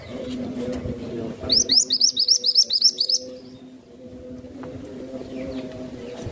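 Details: Songbird used as a tutor, its song praised as good, calm and steady: a fast run of about eleven sharp, upslurred chirps lasting a second and a half, set against a continuous low humming background.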